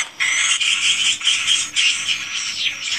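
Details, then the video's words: Swiftlets inside a swiftlet house: dense, continuous high twittering and buzzy chatter from many birds, rising and falling in waves over three seconds, with no pauses. "REKAMAN SUARA BURUNG WALET ASLI DI RBW SENDIRI"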